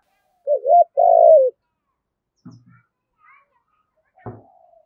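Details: Spotted dove gives one contest-call phrase, quick paired coos then a longer falling coo, meant to lure a wild bird for trapping; faint low knocks and a click follow.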